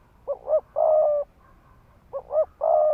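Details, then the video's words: Spotted dove used as a ground decoy, giving rapid 'thúc gù' cooing meant to provoke males to fight: two short swelling notes followed by a long, level, hoarse coo, the phrase given twice. "Tiếng chim cu gáy mồi đất Thúc Gù kích bổi máu chiến."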